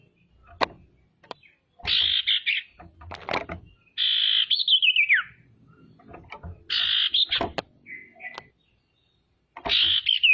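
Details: Calling female common iora, used to make other ioras call and turn agitated: harsh rasping bursts alternate with a long trill that drops steeply in pitch, over clicks and low knocking.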